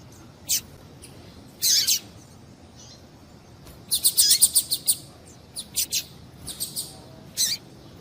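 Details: A female double-collared seedeater calls to prompt males to sing: lone high chirps, a doubled note, then a rapid chattering run of thin notes followed by sparse single chirps.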